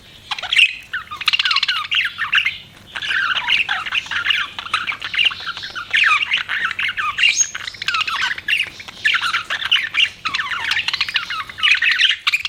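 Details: Budgerigars chattering continuously: a steady stream of scratchy, squawky warbles and chirps in uneven bursts, with occasional thin whistled notes.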